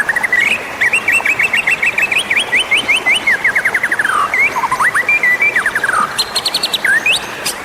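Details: Magpie-robin lure for attracting wild birds: a long run of rapid repeated whistled notes, descending slurred trills and sharp upslurred chirps, loud and continuous with brief gaps.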